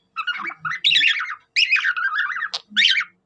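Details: Budgie copying a cockatiel: long, scratchy warbled phrases with wavering whistled tones, interrupted by a sharp click, then a final squeaky burst.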